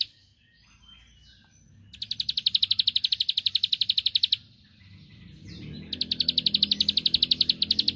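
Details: Rival-provoking song of a bar-winged prinia: two runs of quick, high, ticking trill notes, each about two seconds long. Low background rumble and noise grow louder toward the end.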